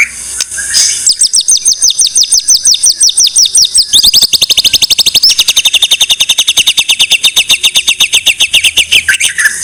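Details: White-rumped shama, known locally as murai batu, singing a masteran tutor song: a long run of high downslurred notes, then a fast, steady trill of sharp repeated notes lasting several seconds.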